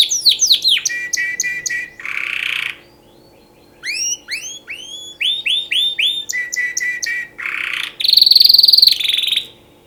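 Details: Canary singing for mating, a varied song of sweeping downward whistles, short rattling trills and harsh buzzy bursts, delivered in phrases separated by short pauses, ending with a bright high trill.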